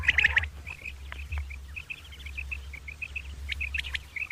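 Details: Common quail, possibly two birds, giving a morning call: short, liquid, high notes in quick repeated groups, all at a similar pitch, over a steady low hum.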